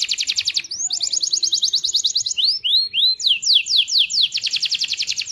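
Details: Canary singing a loud, energetic song used to stimulate other canaries to sing: fast trills of repeated high notes, then a series of slurred upward-sweeping whistles, ending in another rapid trill.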